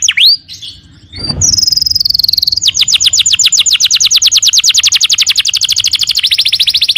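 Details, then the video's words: Canary singing vigorously (kenari gacor): one swooping whistle and a brief noise burst, then a long high buzz and a steady fast trill of about ten notes a second lasting several seconds. "Suara kenari gacor"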